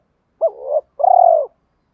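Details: Spotted dove with 'thổ' voice, challenge or calling coos: a short rising note running into a drawn-out coo, a brief gap, then a long pulsing level coo that fades, with no other sounds.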